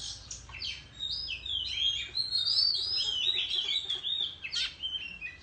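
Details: Oriental magpie-robin singing a competitive song with tail-fanning display in rural countryside; continuous stream of varied whistles, slurs and quick chatter, fairly even in loudness, faint low background hum.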